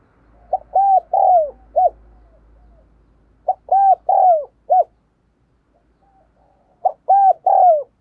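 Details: Decoy spotted dove cooing to provoke wild doves: three phrases about three seconds apart, each a quick pair of short rising coos followed by a longer, falling coo and a brief closing note, against a quiet background.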